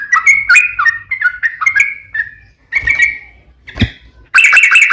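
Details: Lure song of a yellow-vented bulbul, lively 'ropel panjang' style: two seconds of bubbly warbled notes, a pause broken by a harsher burst and a sharp click, then loud dense chatter returns.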